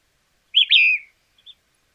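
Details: White-crested Elaenia, recorded in Argentina, gives one whistled phrase, a brief high note then a longer descending slurred whistle, followed by a faint short chip; no other sounds.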